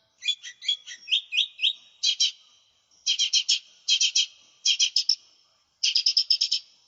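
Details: Lesser green leafbird singing as a lure and master song: a run of quick rising chirps, then repeated bursts of four or five harsh chattering notes about every second, with a thin sustained tone behind them.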